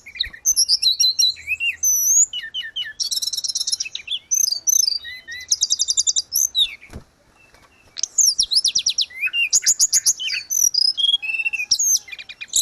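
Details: Grey-cheeked bulbul in continuous, persistent song used as training audio for cage birds: rapid high chattering bursts, buzzy trills and short whistled slurs, tightly packed with brief pauses and no other sounds.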